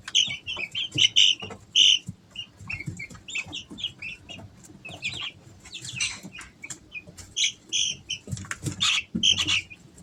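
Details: Easter Egger chicks, three weeks old, at home in summer: loud clear high peeps in bursts, several chicks overlapping, with pauses filled by rustling and light pecking sounds.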